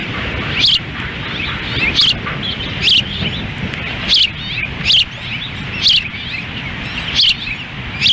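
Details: Windy June 10, 2017 feeding at an osprey nest in Lolo, Montana: the female feeds as the male stands by. About seven piercing, slurred chirps come roughly every second against loud wind.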